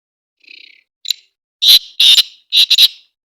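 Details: Caged first-season young male Black Francolin in foggy Punjab winter, calling in weak sunshine; a faint rising note, then a short burst and three loud harsh grating phrases in quick succession, some doubled.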